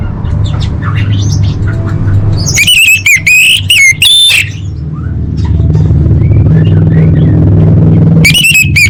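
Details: Orange-headed thrush competition training song: a loud burst of sharp, ringing whistled notes in the middle and another at the end, between stretches of low engine-like rumble and faint chirps.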